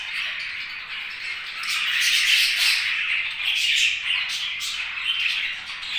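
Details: Budgerigars chirping happily indoors, a dense continuous chatter of warbling, squeaky notes and short scratchy squawks, steady and busy throughout with several birds overlapping.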